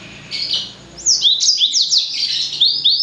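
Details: High, fast song from a blacksang, the cross between a blackthroat and a sanger: after a brief opening chirp comes a dense chain of sharp down-slurred whistles and trills.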